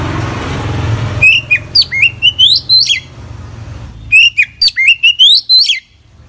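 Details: Oriental magpie-robin singing a song rich in fill-ins: two similar runs of about eight bright, upward-sweeping whistled notes, each run lasting under two seconds, over a low background drone.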